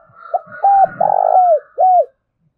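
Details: Spotted dove call used as a decoy for wild doves: a short note, a flat coo, a long pulsing coo curving downward and an arched final coo, over a faint higher background tone.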